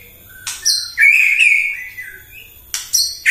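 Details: White-rumped shama singing in the morning as a provocation song to rouse other birds: sharp high whistled notes, then a long warbling phrase that wavers and falls, ending with bright squeaky accents.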